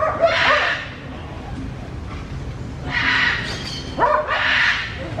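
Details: Macaws feeding on clods of earth: loud, grating screeches in three bursts, each harsh and broad, with brief gaps of quieter background noise between them.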